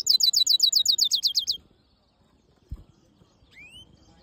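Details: Caged black-hooded yellow siskin mule, a hybrid, singing a fast run of sharp metallic notes repeated about four per second for 1.5 seconds, then quiet with a single rising whistle near the end.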